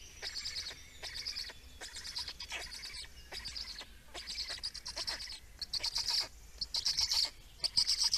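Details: Estonian black storks during feeding, 17 May 2019, giving wheezy, rasping high calls in repeated bursts about once a second, becoming louder and harsher toward the end.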